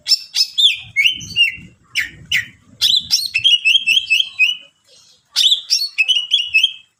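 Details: Rich, busy song of a greater green leafbird meant to draw out other leafbirds. Rapid chattering phrases of flicked and trilled whistles pour out in two long bursts, split by a short pause.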